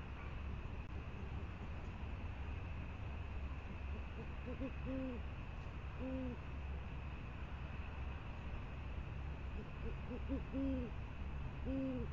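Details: Great horned owl hooting softly after delivering prey at the Presidio, 28 January 2019; low rounded hoots in loose groups, a pair around five to six seconds and a cluster near ten to twelve, over constant low rumble.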